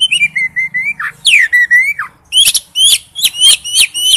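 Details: Male oriental magpie-robin calling to a female: long level whistles ending in downward slurs, followed by a quick series of sharp rising chips repeated about twice per second.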